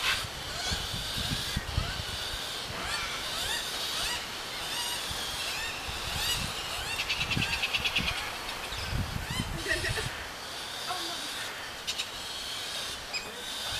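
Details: Two galah chicks being fed by their mother give a constant stream of harsh, rasping, buzzy begging calls, rapid and overlapping, with low thumps and rumbles underneath.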